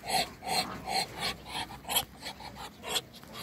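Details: Three farmyard Muscovy ducks make short husky, hissing bursts, several per second at first, then fading into fainter, irregular breaths.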